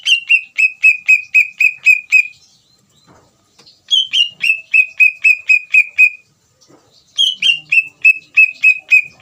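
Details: Greater green leafbird in full song, used as a lure to provoke another leafbird into answering: three runs of sharp, slightly falling whistled notes, about four per second, separated by brief pauses.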